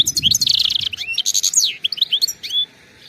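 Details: Wild European goldfinch pouring out a dense stream of twittering, buzzy and tinkling notes, ending in a clear slurred whistle before quiet.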